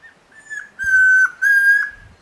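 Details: Chestnut-crowned antpitta (Tororoi Comprapán) singing at Alto San Miguel: three clear whistles at an even pitch, a short faint first note followed by two longer, stronger ones, each ending with a slight downward slur. The background is quiet.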